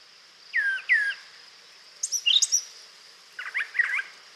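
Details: A Brown Thrasher sings a quick run of varied phrases that never repeat: a pair of slurred whistles, then high sharp notes, then a cluster of rough chirps, each phrase different.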